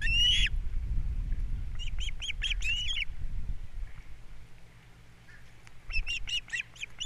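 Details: Osprey at a Captiva nest on 3 April 2022, with the male bringing a breakfast fish and the female feeding the young. A single shrill note, a fast series of whistled chirps, a lull, then another chirping run over low rumble.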